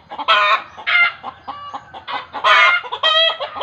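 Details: Rapid chicken cackling, roughly a hundred bursts a minute, which village folk believe signals the birds seeing a ghost; loud, grating, harmonic squawks alternate with softer clucks.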